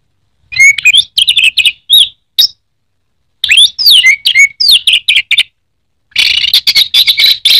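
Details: Kept orange-headed thrush from Indonesia in teler song: loud, fast sequences of sweeping whistles and sharp chips, broken by short pauses, ending in a dense scratchy trill.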